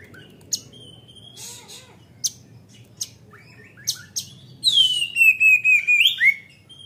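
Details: Oriental magpie-robin singing in full voice, used as a lure to stimulate young birds. Scattered sharp clicks and short notes break a quiet stretch, then a burst of loud slurred whistles ends the clip.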